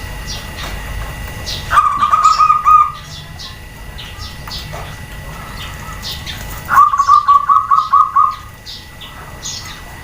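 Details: Female zebra dove calling to draw answers from males and other doves: two pulsed, purring coo trills about five seconds apart, with scattered thin chirps from other birds around them.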